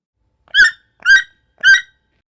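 A toucan gives three harsh, nasal croaks about half a second apart, each rough and buzzy with a slight downward slur.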